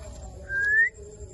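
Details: Indian ringneck parakeet giving one clear whistled note that slides upward over about half a second, loud against a quiet background with a faint low hum.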